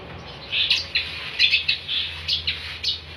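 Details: Long-tailed shrike in lively, energetic song, recorded as tutor material for training songbirds: a short series of bright chirps and slurred high notes, loosely spaced over three seconds, with faint low hum beneath.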